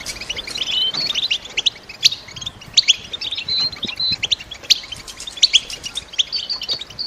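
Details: Female European goldfinches kept in a cage give stimulating calls meant to make a silent male sing and prepare for mating season. Sharp chirps and brief clear whistled notes come in uneven bursts, slightly sparser than a full chorus.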